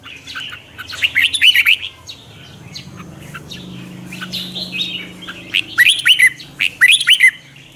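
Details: Red-whiskered bulbul (chào mào) singing in the morning, twisting-voice style kept for lure training; bright, upward-swept whistled notes in clusters, separated by a quieter stretch with a faint low hum.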